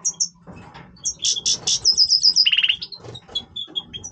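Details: Singing Major European goldfinch in breeding voice, quick high twitters and trilled notes leading into a brief buzzy nasal rattle, then spaced tinkling chirps.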